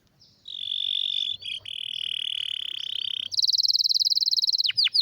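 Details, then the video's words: Canary singing a rare, strong tutor song: a long steady whistled tone, then a loud rapid buzzing trill ending in a few downward swoops. "Canário com Canto Raro e Forte – Ótimo para Seu Mestre Canário HD - CANARY SOUND MELODY"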